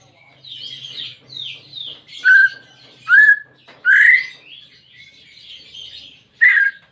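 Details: Greater green leafbird (cucak ijo) song meant to stimulate a pet bird that will not sing: soft buzzy warbling broken by four loud clear whistles that rise or slur, spaced irregularly.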